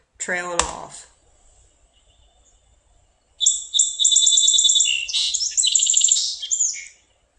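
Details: Song Sparrow song played back from a recording, described as heavily accented opening notes trailing off: a brief spoken word first, then after a pause a bright, high series of rapid buzzy trills and chirps lasting about three and a half seconds.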